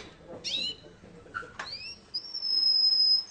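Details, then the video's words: Russian canary at a singing contest: a few scattered whistled slurs and a brief buzzy phrase, then a long, steady, very high pure whistle held for over a second. "kontes kenari rusia suara unik dan keren"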